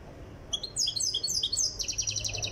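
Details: Tiaret European goldfinch still being brought to singing readiness: after a quiet half second, a lively burst of high, liquid twitters and chirps ends in a rapid, rattling trill.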